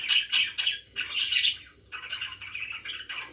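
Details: Pet budgerigars giving bursts of scratchy, warbled chirping, broken by short gaps, with a few harsher squawk-like notes; presented as a relaxing day.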